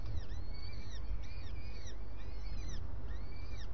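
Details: Starling at breakfast producing clustered arched whistles in bursts roughly every second, paired with higher overtones, against a dense low droning background.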